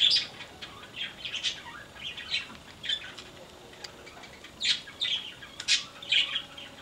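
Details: A yellow-crowned parakeet in an aviary gives bursts of high, scratchy chattering notes in uneven clusters about every half second to a second, with a quiet background between.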